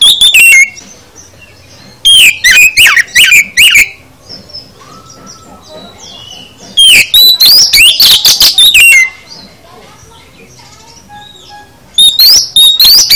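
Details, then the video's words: Oriental magpie-robin (kacer) full isian song in four separate bursts of rapid whistled and chattering phrases, spaced by pauses of roughly two to three seconds. "Kicau KACER Full Isian"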